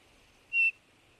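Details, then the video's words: Eurasian bullfinch giving one short, soft, steady piping whistle that lasts about a fifth of a second, set against quiet background hiss. "bullfinch pyrrhula sound bird"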